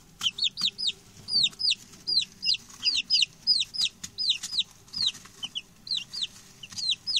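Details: Six newly arrived male chicks, settled in and chatty, give loud high descending peeps, each a sharp downward-sweeping note, repeated in quick overlapping pairs and runs throughout.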